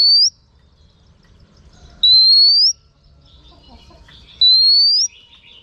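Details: Rising pure whistles from a female oriental magpie-robin urging males on, three drawn-out upslurred notes spaced about two seconds apart, with a few faint chirps between.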